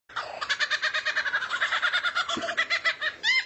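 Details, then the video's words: Rare bird used as tutor song to train White-rumped shama (kacer): fast run of harsh, buzzy chattering notes, about five per second, steady for three seconds, ending in a brief high whistled flourish. "MASTERAN BURUNG LANGKA YANG BISA JADI SENJATA PAMUNGKAS BURUNG KACER"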